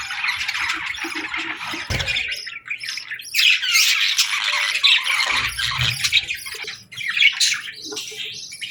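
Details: Several budgies in the afternoon keep up an unbroken stream of chattering warbles and squeaky whistles, rising and falling in intensity, with brief low thuds.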